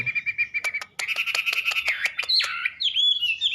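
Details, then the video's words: Wambi song: a fast, rattling trill of sharp high notes run together, then a few clear whistled slurs that rise and fall. "Burung Wambi || Salah Satu Jenis Burung Bersuara Indah nan Merdu"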